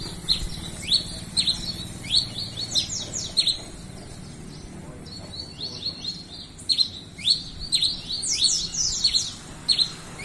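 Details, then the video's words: Red-crested finch, locally tico-tico-rei-cinza, singing persistently: bright, high, rapidly repeated short down-slurred chirps in bursts, with a pause midway and a low rumbling background. "Tico tico rei cinza cantando muito"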